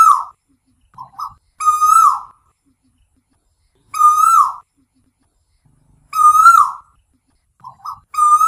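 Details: Asian koel calling at night, repeating a loud, clear whistled call about every two seconds: short lead-in notes, then a longer note that swells and drops away. Nothing else is heard.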